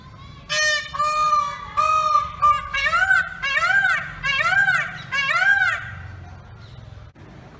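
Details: Indian peafowl giving a loud series of about nine nasal, honking wails, each rising then falling in pitch, repeated under a second apart before fading out; peacock calling from a pole.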